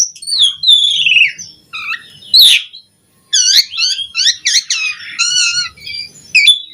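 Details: Asian pied starling song for tutoring other starlings: a descending whistled slur, a harsh burst, a short silence, then a rapid series of chattering notes and buzzy phrases.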